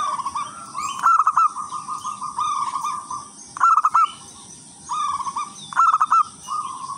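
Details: Wild local zebra dove singing busily with a melodious rhythm, used to lure in other zebra doves: steady rolling trills alternate with louder clusters of sharp, bubbling coos, a phrase roughly every two and a half seconds.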